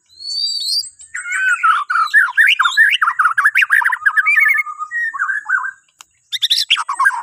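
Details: Varied whistled song of a white-rumped shama from Borneo, meant to spur other birds to sing in the morning: high opening slurs, then a dense stream of rapid warbled notes, a brief silence, and a final burst.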